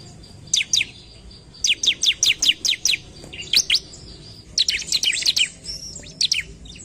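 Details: Sumatran leafbird (ciblek) singing fast to provoke rival birds: dense runs of high, sharply descending chirps, some overlapping in a busy cluster near the end, with quiet low hum beneath.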